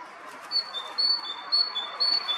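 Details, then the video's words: A tit singing on a branch in a forest at the far end of Akhunskaya Street, Zarechny, on 12 April 2021: clear two-note phrases, a high note dropping to a lower one, repeated about every half second, over soft background hiss. "Синичка 12/04/2021 поёт на ветке в лесу"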